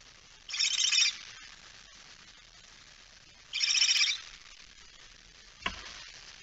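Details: Barn owl with a mouse, recorded at 01:49 at night on 17 September 2019; two short, quiet, breathy hissing bursts about three seconds apart, then a faint click near the end.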